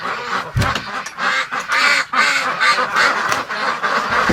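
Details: Domestic ducks (Anas platyrhynchos domesticus) shut in a barn in winter at -28.6°C outside are going stir-crazy with cabin fever: a crowd quacking loudly and almost without pause, with harsh, nasal, overlapping calls. A man speaks briefly near the start.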